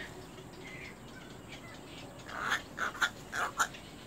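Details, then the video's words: Baby little egrets fighting. After a quiet, hissy start, four or five loud, harsh squawks burst out in quick succession near the end. "little egr baby birds fight"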